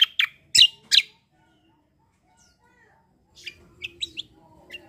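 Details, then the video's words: Black-winged myna giving a fighting-style rolling song, sung vigorously: four loud, sharp chirps in quick succession, a pause, then softer high twittering notes and a faint low hum. "KECIAL KOMBO CUCAK KOMBO TARUNG NGEROLL GACORR"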